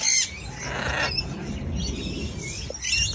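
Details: Baby macaw sharing its brunch with a friend: a brief harsh, noisy squawk at the start, a rougher broad rasp shortly after, then another short shrill squawk at the end over a steady low background rumble.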